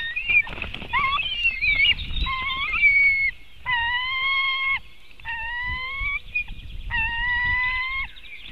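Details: Nest-webcam recording from Latvia, 2018, of a white-tailed eagle: drawn-out, even, piping notes about a second long, rich in overtones, given in three or four spaced bursts after a jumble of higher squeals.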